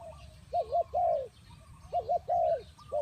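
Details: Spotted dove coo used to lure birds for trapping: two loud phrases, each a quick double note followed by a longer drawn-out coo, with faint bird chirps behind.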